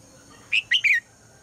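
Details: Red-whiskered bulbul female calling at dawn to get the male to sing: a single crisp three-note whistled phrase, rising then falling, over a low background hum.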